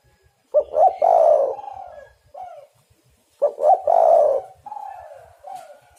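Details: Spotted dove call, used as a lure to make other doves call and to trap them. Two bursts of husky, low coos, each a stuttering rise into a long rough note, then a short soft coo, repeated about three seconds apart.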